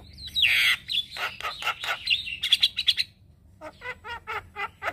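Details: Male Javan myna in morning song, kept as a lure and tutor for starlings: a harsh wheeze gives way to rhythmic chattering notes about four per second. After a pause come nasal, evenly spaced squeaky calls.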